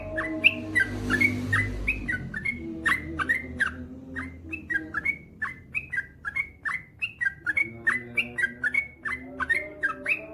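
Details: Male yellow-vented bulbul in sustained song: a long string of quick whistled notes, up-slurs alternating with drops, delivered at a brisk uneven pace, with a low rumble early and faint humming throughout.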